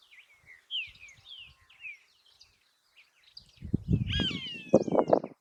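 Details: A Roadside Hawk in Argentina's littoral region gives a short, nasal, down-slurred scream, preceded by quick high chirps from small birds and set against heavy low wind rumble.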